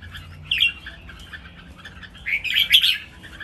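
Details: Caged red-whiskered bulbuls, three birds singing against each other in a training song with counted phrases. One short bright warble is followed after a quiet gap by a fuller, louder burst of jumbled chirping notes.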